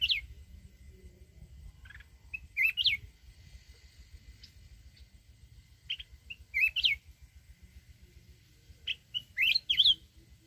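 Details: Wild-style song of a mountain red-whiskered bulbul, meant to excite decoy birds: lively whistled phrases with rising and falling twists, some sung in quick pairs, separated by pauses of a few seconds, a faint hum behind.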